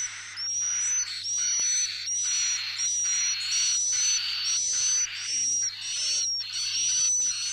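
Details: Edible-nest swiftlet roosting call used by swiftlet farmers: harsh, buzzy chirps, each topped by a thin high whistle, repeated about every second in a steady run.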